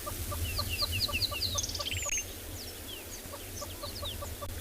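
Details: Yellow-billed hornbill calling from high in a tree on Tswalu Kalahari Reserve, South Africa, at sunset in 32°C heat; steady run of low, hollow clucks, several a second, while other birds chirp and twitter.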